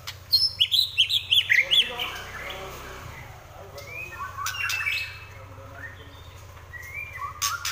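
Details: Rapid trotol-style burst of quick, high repeated notes from a white-rumped shama in fighting mood, then softer scattered whistles over a steady low hum.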